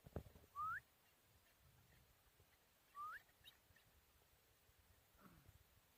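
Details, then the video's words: Chukar partridge, aged four and hand-reared, recorded in Tajikistan in 2021: two upward-sweeping whistled notes about two and a half seconds apart, with a faint low sound near the end. "Горная Куропатка Кеклик в Таджикистане 2021 Partridge Keklik Sesi"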